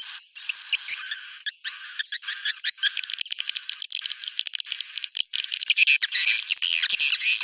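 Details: Busy, overlapping high twitters and buzzes from roosting swiftlets, with rapid ticking clicks and a steady shrill tone under near-continuous chatter.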